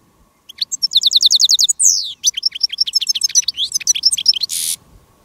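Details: Decoy goldfinch singing to lure wild goldfinches during a day of finch trapping; loud, fast twittering song with a run of rapid repeated high notes, a sliding buzzy note, then varied tinkling chirps.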